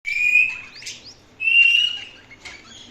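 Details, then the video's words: Indian ringneck parakeet chirping: two loud, drawn-out whistled notes near the start and middle, each followed by short rising squeaks, then a harsh burst at the end. "parrot sound|parrot chirping sound| parrot voice | indian ringneck parrot"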